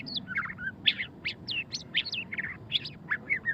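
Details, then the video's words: Murai batu, the white-rumped shama, in ngeriwik song: dense, rapid chattering of high scratchy chirps and short twittering notes, tumbling almost without pause. "suara kicauan burung murai batu pastol ngeriwik - white-rumped shama"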